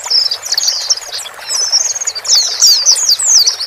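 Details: White-eye, male and female, calling to help a newly bought bird settle alone in a new cage; rapid high twittering phrases of slurred chirps, nearly continuous, with a faint hiss in the background.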